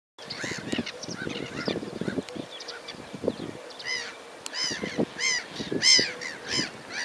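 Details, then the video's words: Sand martin calls: repeated, arched, harsh harmonic notes, several overlapping, over a busy background of lower irregular knocking and chattering sounds. "Sitari de mal"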